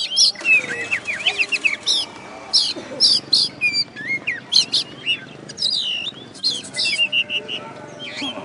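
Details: Winning contest kacer, the oriental magpie-robin, from West Kalimantan gives an energetic run of sweeping whistles, crisp chirps and scratchy notes in quick succession, with faint steady background hum.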